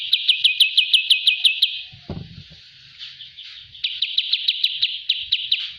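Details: Master training recording of a kapas tembak bulbul: quick, evenly repeated bright chirps for nearly two seconds, a short thud and a pause, then the rapid chirping series resumes.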